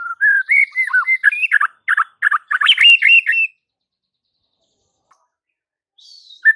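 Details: White-rumped shama song used to draw other shamas into singing: a dense three-second stream of rich, slurred whistles rising and falling, followed by silence and a brief final note.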